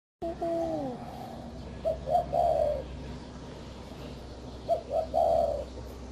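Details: Spotted dove cooing: a soft low phrase of two short notes followed by a longer drawn-out coo, given twice a few seconds apart, after a brief falling whistle, over a steady low background hum.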